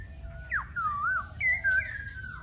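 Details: Laughingthrush giving loud whistled notes: a sharp downward slur, then wavering mellow phrases and a few bright rising whistles over a quiet background hum.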